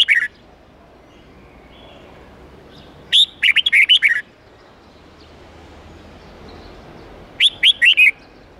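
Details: Red-whiskered bulbul performing an 8-9-10 note forest-standard twisting song meant for young birds to learn: a clipped phrase at the start, then two lively whistled phrases of rising and falling notes spaced about four seconds apart.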